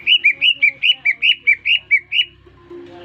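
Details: Greater green leafbird, caged and newly bought, singing once whistled at: a quick, regular series of about ten bright warbled notes alternating high and slightly lower, roughly four per second, ending in a low hum.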